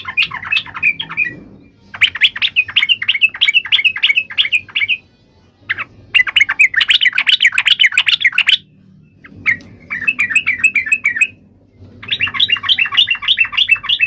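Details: Long stretch of yellow-vented bulbul fighting song, used to make other bulbuls answer: four extended runs of fast, bubbly chattering notes separated by short pauses over soft background noise.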